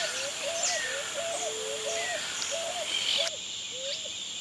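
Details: Repeated short mid-pitched curved notes from a pigeon or cuckoo, recorded in 2018, set against a constant high-pitched insect hum and occasional faint higher whistles.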